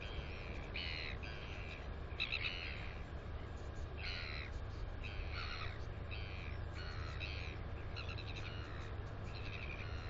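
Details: New Zealand northern royal albatross nest, 9 September 2020, female chick in close view: a long series of short, bright, harmonic calls, eight or more, repeated every second or so against constant low wind noise.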